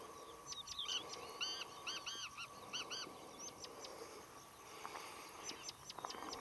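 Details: Agitated rufous-tailed scrub robins near fledglings react to a water snake in Shirvan National Park, Azerbaijan, on 23 June 2013: sharp dry ticking clicks and short arched, ringing notes in bursts, over a steady high insect-like hum.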